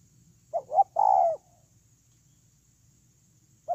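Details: Decoy spotted dove, ground decoy, dated 8/10/2018, giving one full phrase of two quick rising notes and a long, even, falling coo, then a pause and the start of the next phrase, over a quiet low hum.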